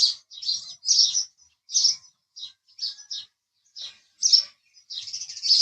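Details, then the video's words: Separate sharp, high chirps from a house sparrow come singly and in pairs with clear gaps between them. A denser chattering passage closes the recording. "house Sparrow Chirping Sound"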